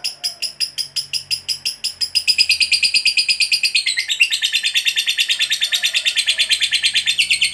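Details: Lovebird 'ngekek panjang' long trill, used to make other lovebirds join in: evenly spaced harsh notes that quicken after two seconds into a dense, continuous buzzy chatter lasting over five seconds.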